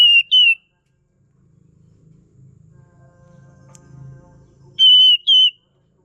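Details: Bulbul song used to lure or train birds: two short bursts of clear, high whistled notes, one at the start and one near the end, with a faint low hum in between.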